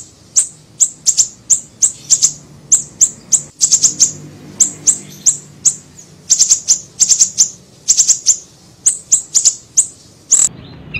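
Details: Small siri-siri bird in a lure recording used to attract birds: sharp, very high chirps repeated in quick runs, sometimes doubled or tripled, with short pauses between bursts and a faint low hum behind.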